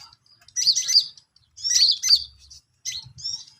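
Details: Long-tailed shrike learning its song delivers short chattering bursts of high, twisting notes, each about half a second long, repeated roughly once a second with quiet gaps.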